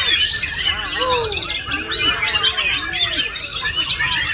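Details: A male white-rumped shama pours out parakeet imitations, fast scratchy chirps and twittering high notes mixed with lower arched whistles repeated roughly every half second.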